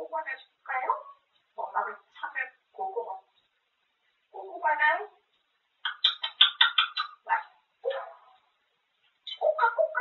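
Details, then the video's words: Grey parrot at home talking endlessly about eating: many short word-like syllables in uneven groups, shifting from low, hoarse voicing to a rapid run of higher, clipped sounds. "쉴새없이 떠드는데 다 먹는 이야기"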